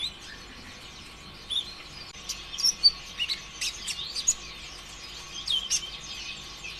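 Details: Kolibri ninja sunbird delivering a lure song to set other birds singing; scattered, very high thin chirps and brief twittering phrases, fairly soft, over a quiet steady background hum.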